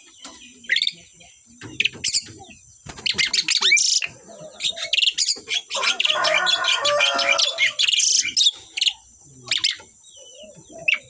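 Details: A singing pair of Asian pied starlings delivers an energetic, jumbled stream of squeaks, rattles and harsh chatter. It thickens into a busy, layered passage in the middle, with short pauses between outbursts and a faint steady whine behind.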